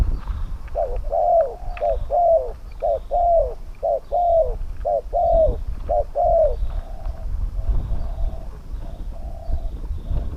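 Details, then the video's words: Spotted dove cooing during a decoy-luring session with a trap cage, wild birds with mid-range voices: a series of short paired notes then longer rounded coos, repeated roughly once a second, with a low rumbling background. "ต่อนกเขาใหญ่ ต่อเพนียดเถรเปือย กับเซต็ปนกป่าเสียงกลาง"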